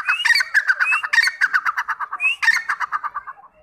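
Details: Grey francolin, called teetar, dakni teetar or irani teetar, gives a loud rapid series of repeated ringing notes, several phrases running together over a few seconds.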